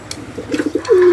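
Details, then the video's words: Local old-bloodline highflyer domestic pigeon giving soft, low cooing pulses that build into a longer, smoothly falling coo at the end, with faint clicks in between. "দেশি পুরাতন ব্লাডের হাইফ্লাইর কবুতর"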